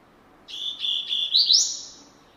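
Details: Brazilian rusty-collared seedeater, or coleiro, in classic song: a short phrase of clear, high whistled notes in quick succession, climbing higher at the close before fading.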